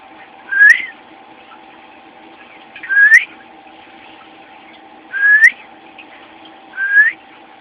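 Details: A 3-month-old pet cockatiel gives short rising whistles, one every two seconds or so, over a steady household hum.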